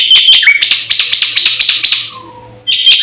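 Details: Black-winged myna song from a training and lure recording: a quick string of about eight sharp, harsh rasping notes in a row, a brief quiet gap, then the loud chatter resumes.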